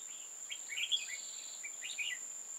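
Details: Red-whiskered bulbul in a trapping session dated 15 October 2018, giving a run of bright, quick warbled notes and slurred chirps, with a constant shrill insect drone underneath.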